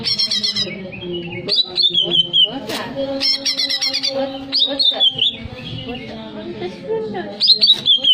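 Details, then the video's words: Greater green leafbird singing, a song used to stir breeding arousal: loud, clear whistled phrases falling in pitch recur every couple of seconds, mixed with rapid chattering notes and sharp clicks. "Cocok Untuk menaikan emosi birahi cucak ijo , di jamin langsung bunyi !"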